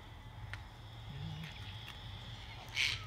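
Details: A single harsh, grating screech from one of a flock of sulphur-crested cockatoos bursts out near the end, over a steady low rumble and faint distant bird notes; Australia, near frogmouths sleeping in a gum tree.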